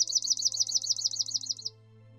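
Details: Swamp Sparrow in Ontario, Canada, singing a steady, high trill of about ten sweet, even notes, under two seconds long, with a faint low hum beneath.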